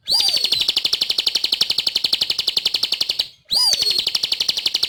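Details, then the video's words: Sunda pygmy flowerpecker singing vigorously: a long stream of quick, bright, buzzy high notes repeated several times a second, opening with a dropping whistle and restarting after a short silence. "Suara Burung | Ciblek Gacor"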